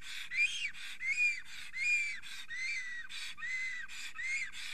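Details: Excited male black stork singing at an Estonian forest nest while a female is nearby, late April 2020, mid-morning. Steady run of wheezy, arching whistles, each followed by a rasping breath, repeated a little over once a second.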